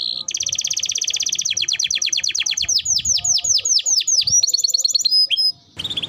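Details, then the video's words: Timbrado canary (finding: Belgian canary) sings a loud, continuous fast rolling trill shifting into quick descending swept notes, then high thin whistles. "Canary Bird Singing Timbrado canary singing beautiful melody"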